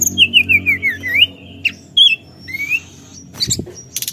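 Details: Forktail call used to stir up rival birds: a string of quick wavering whistled notes, then separated slurred whistles and a long rising note, ending in a low thump and a harsh buzzy burst.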